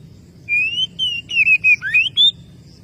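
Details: Oriental magpie-robin calling to a rival with a short series of clear whistled notes, mostly level or gently rising, one sharply upward-sweeping note near the end, each separated by brief gaps.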